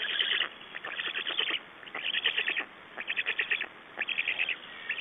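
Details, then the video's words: Estonian black stork nest, 6 June 2011, at nest exchange and feeding time: four bursts of fast, grating pulsed calls, each about half a second to a second long, alternate with quieter gaps. "Black Storks nest Estonia - Exchange and feeding"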